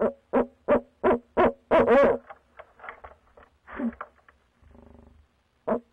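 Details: Barred owls of a nesting pair hooting at night, February 2019, near a box where squirrels stayed: a rapid run of about seven low hoots, then softer broken notes, a brief buzzy rattle, and one final hoot.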